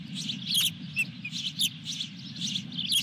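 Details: Osprey at its nest at Dunrovin Ranch with a fish, recorded 23 June 2021: rapid, high, sharp chirps in uneven bursts, some short and clipped, others slightly drawn out, over a steady low rumbling hum.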